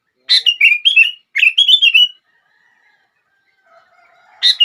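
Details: Sooty-headed bulbul song used to trigger other bulbuls: two linked phrases of fast, bubbly warbling notes, then a quiet pause with faint distant chirps before a new phrase begins.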